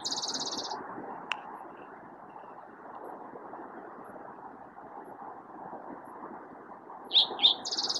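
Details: Spotted Towhee song played back: a rapid, buzzy high trill, a long gap, then two short sharp notes leading straight into another fast trill, over a steady low hum.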